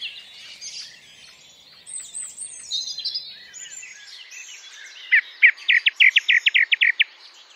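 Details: Male song thrush singing the dawn chorus from an ash tree at a field edge in the British countryside, calling for a mate and claiming territory; varied high notes, then a loud sharp note repeated about a dozen times in quick succession.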